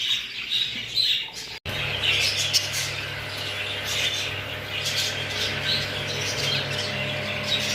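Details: English show budgerigars, kept indoors, giving a busy stream of chirps and warbled squeaks with occasional squawks, a steady low hum running underneath throughout.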